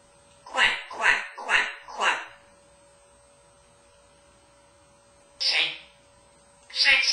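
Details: Male African grey parrot, kept at home in Texas and hatched in 1997, practicing words from a vocabulary of about 250. He gives four quick, evenly spaced, voiced syllables in a row, then a pause, then two more sharp spoken bursts.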